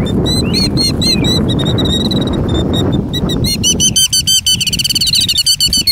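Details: Killdeer in a broken-wing display, 2019: insistent high piping notes in quick succession that become a dense, faster run of sharp calls in the last two seconds as the background wind noise falls away.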